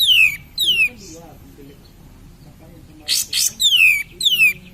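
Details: Cream-vented bulbul singing as a lure to stimulate other birds. Clear, loud downward-sliding whistles come in pairs, with rough scratchy bursts between them and quiet gaps.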